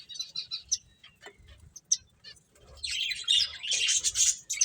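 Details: Finches playing: scattered short high chirps at first, then from about three seconds a dense, continuous chatter of overlapping bright twittering notes from several birds, with a faint low rumble beneath.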